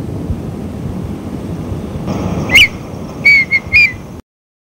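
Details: Red-winged tinamou (Rhynchotus rufescens) giving clear, fluty whistles: one note, a pause, then a quick run of three, over steady low rumbling noise.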